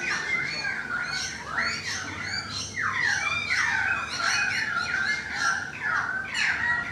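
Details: Balcony currawong in full song, rich rolling warbles and swooping descending whistles chained together continuously, loud and close.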